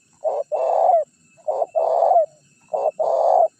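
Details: Spotted dove (tekukur) decoy call, used to lure wild birds and provoke rivals into calling: three low cooing pairs, each a short coo followed by a longer, fuller coo that slurs downward at the end, evenly spaced, with no background noise.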